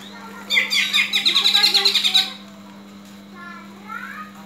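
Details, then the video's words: Greater green leafbird in fighting mode, calling to train rival leafbirds' spirit; a rapid burst of about a dozen loud, rattling chatter notes lasting under two seconds, then quieter notes, with a low hum throughout. "CUCAK IJO TARUNG INI, COCOK UNTUK MELATIH MENTAL TARUNG CUCAK IJO LAIN"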